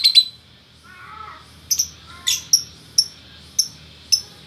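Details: Lovebirds, a male and female pair from Bukittinggi in West Sumatra, vocal gacor birds: a brief raspy squawk, then single shrill clipped chirps repeated roughly every half second.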